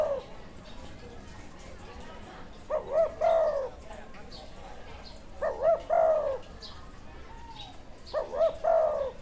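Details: A wild spotted dove with a good karam call style gives three phrases of rising-falling coos with a purring end, spaced a few seconds apart, against constant broadband hiss and faint other sounds.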